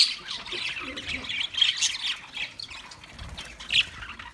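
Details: Budgerigars in a natural outdoor setting give a steady stream of high, scratchy chirps and squawks, overlapping in busy chatter with brief louder peaks near the start and end.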